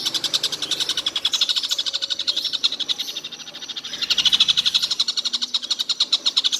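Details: Collared kingfisher, said to call all day without stopping, delivering a long fast rattle of harsh repeated notes, dipping quieter midway before growing louder again.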